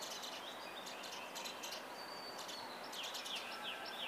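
Brahminy myna giving quick, high chirps and thin whistled notes in rapid bursts, over a steady hiss of background noise.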